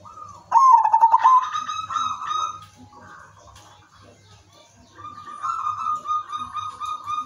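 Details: Silver 'udan mas' zebra dove giving a rhythmic lure song to draw other doves into singing: a bright fluttering trill at the start, followed by long steady coos that fade and return more softly.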